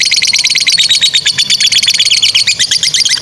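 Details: Fighter lovebird pair delivering extended 'ngekek' chattering, kept to train juvenile and non-singing lovebirds: a rapid, buzzy rattle of high chirps, nearly three per second in clusters, sustained throughout.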